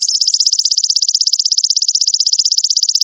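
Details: Caged-bird training recording of a sogon (little spiderhunter): one continuous, very fast and even high trill of buzzing pulses running unbroken throughout, with no other sounds.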